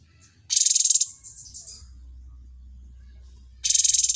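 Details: A cucak cungkok trained on other birds' songs gives a loud rattling buzz, a softer trailing buzz, then after a quiet gap with low hum another harsh pulsed rattle.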